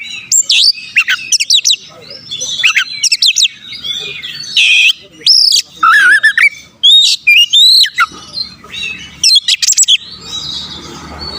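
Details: Oriental magpie-robin singing constantly, used to provoke rival birds into aggression: loud bursts of high chirps, rising whistled slurs and buzzy trills, with short pauses and a faint low background hum.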